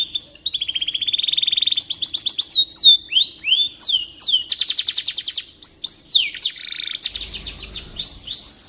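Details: Canary song played as tutor material for training white-rumped shamas: a long steady trill, then rapid runs of descending sweeps and buzzy rolled trills at high pitch, phrases changing every second or two.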